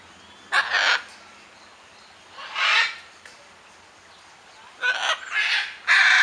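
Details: Blue macaw calling with harsh, grating squawks in irregular bursts, one early, one midway, then three in quick succession at the end; a steady low hum sits in the background.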